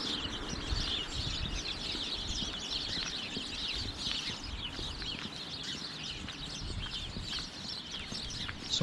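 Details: A big flock of house sparrows, apparently feeding in bushes by a road near Walton Park, Preston, keeps up dense, overlapping chatter of short bright chirps over a steady low rumble of traffic and wind.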